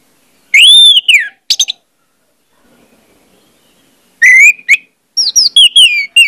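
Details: Orange-headed thrush song used as a singing lure: a loud downslurred whistle and clipped notes, a pause, then a lively run of varied looping whistles and chips.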